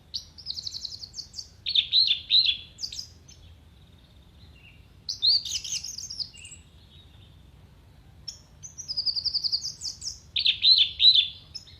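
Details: Orange-headed thrush singing a tutor song full of mimicked phrases for songbird contests: high buzzy trilled bursts and sharp chattering notes in separate phrases, with quiet gaps and faint low background rumble.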